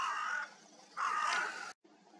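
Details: A crow gives two harsh, hoarse caws, each about half a second long, with quiet background between them; a snowy forest morning around dawn, 17 January, crows arriving early in the snowfall.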